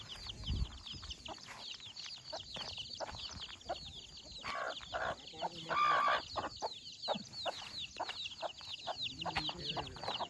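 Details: Free-range country chicks with their mother hen: a dense chorus of high, thin peeps repeated rapidly throughout, with occasional low clucks and faint rustling underneath.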